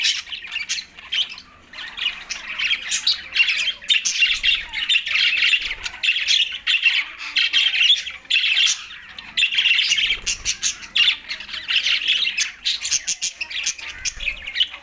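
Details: A long run of loud budgerigar chatter from green budgies. Raspy squawks, rolling warbles and sharp chirps come in surging waves with brief dips, never stopping for long.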